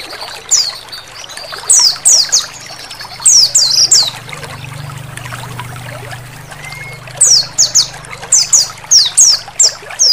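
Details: Oriental white-eye giving very high, thin, down-slurred notes in quick clusters of three to five, with pauses between bursts, over steady trickling water, played as therapy to prompt white-eyes to sing.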